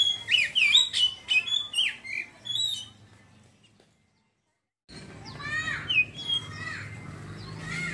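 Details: Oriental magpie-robin (kacer) singing in the ngeriwik style before opening into loud ngeplong song: rapid, varied whistled and twittering phrases with sharp sweeps, a pause of near silence, then more chattering notes over a low background hum.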